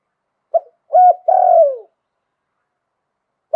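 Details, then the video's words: Wild-voiced spotted dove from Thailand in 'liu tan' style: a single full three-part coo phrase, short, rolling, then long and falling, followed by silence and a new opening note. "หลิ่วตัน มงคล ขันโยนเพราะๆเสียงป่า"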